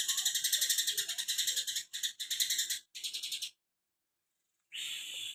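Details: Cucak kinoi pouring out 'tembakan greja' song: long runs of fast, sharp, high rattling notes in three bursts split by brief breaks, then silence and one harsh buzzy note.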